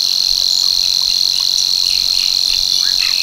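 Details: A Savi's warbler at Tancat de l'Illa, l'Albufera, reels a steady, high, insect-like buzzing trill without a break, with faint chirps from other birds behind it. Males sing this monotonous song on returning to breed from March.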